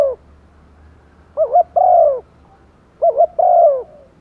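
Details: Spotted dove used as a decoy, cooing to lure wild birds: two phrases, each a rapid wavering double note then a longer mellow coo falling in pitch, over a low steady hum.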